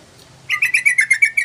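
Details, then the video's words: Long yellow-vented bulbul phrase used to lure birds: about nine bubbly, evenly spaced chirps rattled off in one second, each rich and slightly burry, over quiet hum. "Pancingan Trucukan panjang❗Masteran Trucukan Gacor"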